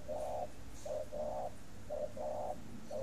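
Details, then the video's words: Caged breeding spotted dove from Ba Vì district, Hanoi, Vietnam, cooing in khách style: soft hollow notes alternating long and short, a steady rhythmic phrase over a faint low hum. "CHIM VỪA SINH SẢN VỪA KHÁCH"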